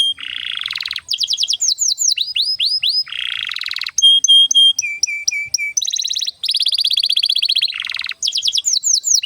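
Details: Singing canary, song played to stimulate young canaries and those that have stopped singing: fast changing tours of buzzy rolls, repeated downslurred notes, steady whistles and lower rattling phrases with hardly a break.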